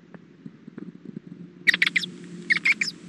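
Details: At the nest on hatching day, dated 2-5-13 at 3:20 pm, a female owl calls to the male: soft low pulses at first, then two clusters of loud, raspy, rapid notes, three or four to each burst.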